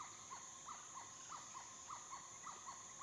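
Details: Chestnut-winged cuckoo at a small waterhole in a dry stream bed, dry season, afternoon of 7 March 2016, Phnom Prich Wildlife Sanctuary, Mondulkiri, Cambodia: short arched whistled notes in quick pairs, about three a second, over high insect hiss.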